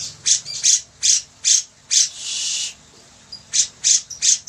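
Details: Grey-cheeked bulbul in lively song for tutoring other birds; several short scratchy squawks, a long continuous rasping note, then a fresh series of quick harsh calls.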